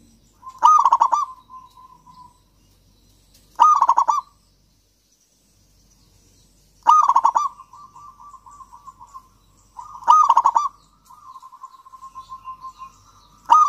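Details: A local zebra dove song, used as a lure to get silent doves singing: soft, low coos, each phrase opening with a few quick notes and trailing into a rolling trill, repeated every three seconds or so.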